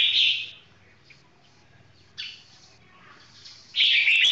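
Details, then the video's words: Red-whiskered bulbul delivering slow, clear song: short bright warbled phrases at the start and end with a brief note midway and quiet pauses between. "นกหัวจุกเสียงทอง ช้าๆชัดๆ"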